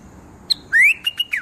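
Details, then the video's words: Bulbul uttering a quick whistled phrase: a sharp chip, a loud rising slurred whistle, then two short level notes and a falling one, all within about a second, against quiet background. "Bulbul pakshi"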